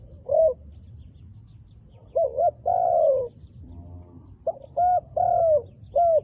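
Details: A wild dove with attractive black-spotted feathers, encountered in the forest, utters clear cooing phrases: a single coo, then paired notes and a long slurred coo, with brief pauses between them and soft background chirping.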